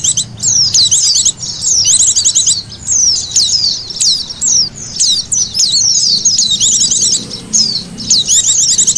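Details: Recording for luring white-eyes: a steady stream of thin, high chirps and quick down-slurred whistles, packed into restless twittering phrases with short breaks throughout.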